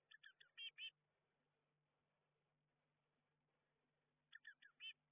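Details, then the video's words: Blue tit chicks in a garden nestbox shortly before fledging; two bursts of four or five sharp, high chirping notes separated by several seconds of quiet hum. "Bluetits fledging from inside the nestbox"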